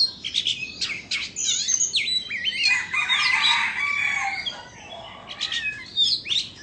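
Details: Indonesian white-rumped shama singing while dancing with its tail fanned; rich, varied phrases of clear whistles, sharp upslurs and rapid downward sweeps, then a dense jumbled burst of warbled notes, pausing before renewed bright whistled phrases.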